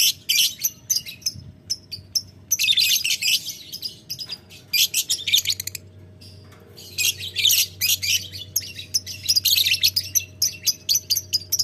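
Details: Long ngekek chatter from a lovebird answering a rival: ticking notes lead into extended harsh, buzzy chattering runs, one brief silence midway, then more rapid bursts; a low hum runs through it.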